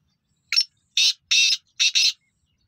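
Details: Black francolin (kala teetar) kept by a Pakistani bird keeper calls a rapid series of five loud, raspy, broadband notes: a short opening note, then paired harsh bursts, all within about two seconds in a quiet setting.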